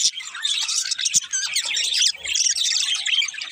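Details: Budgerigars, several together, warble and chirp in a continuous tangle of squeaky, bubbling notes and quick whistles. An occasional click breaks in, and a faint low murmur is heard near the middle.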